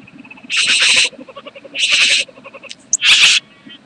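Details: A bowerbird at mating time on 8 January 2014 gives three harsh, hissing rasps, each about half a second long and roughly a second apart, over a quiet background.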